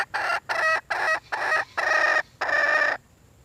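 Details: Red junglefowl hen giving six loud, harsh, broad-toned call bursts, each about a third to half a second long and separated by short gaps, the last two slightly longer, then falling quiet.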